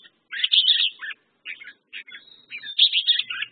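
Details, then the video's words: A red-whiskered bulbul (merbah jambul) sings bright, bubbly warbled phrases in quick bursts with brief pauses, the notes rising and falling in a cheerful, liquid chatter. "red whiskered bulbul/ merbah jambul"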